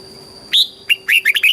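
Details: Short red-whiskered bulbul phrase from a Thai training song in the southern master style: a sharp upward note, then a quick run of bright warbled notes.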